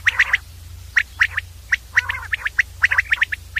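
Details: Common Quail calling, a clear recording: sharp, clipped three-note phrases, quick 'whit-whit-whit' bursts, repeated about every half second to second, with a brief rougher note in between and a low steady hum beneath.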